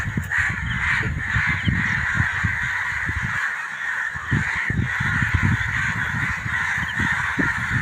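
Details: A flock of crows calling together for about half an hour near fields as evening falls; a constant wall of coarse, overlapping caws continues, with low thuds and some nearby human noise.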